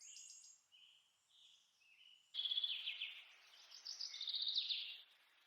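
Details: Monk parakeets preening each other, opening with soft scattered chirps, then a sudden loud, rapid, grating chatter of repeated harsh notes lasting several seconds before fading.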